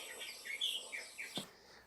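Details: The endangered Saipan reed warbler on Saipan, Micronesia, gives its very loud song: varied phrases of rich whistles and chattering notes, several in under two seconds, with a soft background hiss.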